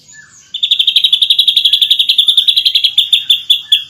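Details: Ashy drongo singing in lively masteran style, a champion's favourite training song, firing dense rapid notes: after half a second of quiet, a fast, steady string of sharp high chips, about four per second, runs unbroken to the end.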